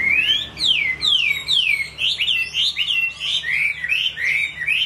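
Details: A Chinese hwamei delivers loud, clear whistled notes, each sliding steeply up then down, repeated in a steady rhythm of roughly two per second, ringing and melodious.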